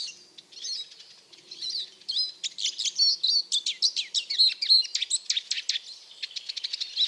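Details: Eurasian siskin twittering in a fast, high jumble of chirps and short slurred notes that grow louder and denser midway, with a brief buzzy trill near the end.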